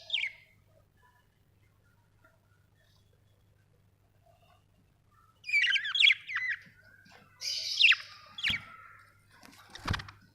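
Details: Budgerigars calling sparsely: one thin chirp, a long silence, then a run of squeaky warbling notes, a harsh buzzy squawk and a few sharp clicks over a low hum.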